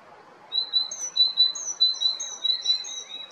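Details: Male great tit recorded in spring at Jarun, Zagreb, Croatia: a run of thin, high whistled notes in quick succession, roughly one and a half per second, over quiet background.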